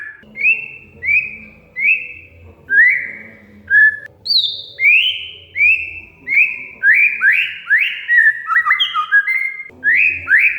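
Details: Oriental magpie-robin whistling a series of drawn-out, slurred notes about every half second, then a quicker tumbling burst of whistles, meant as lure audio to coax a quiet kacer to sing; steady low hum behind.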